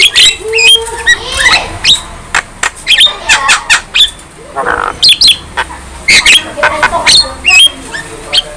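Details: A young Javan myna in full voice, nodding its head, its song said to make other birds fierce; scratchy squawks mixed with short whistled notes and clicks, delivered in uneven clusters.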